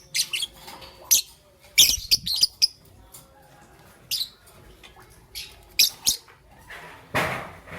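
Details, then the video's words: Young peach-faced lovebird chirping in the morning: sharp, broadband high chirps and squawks in irregular bursts, some in quick clusters of two or three, separated by short quiet gaps. "Relaxation of Lovebird's melodious chirping sound - Young Peach Face Lovebird"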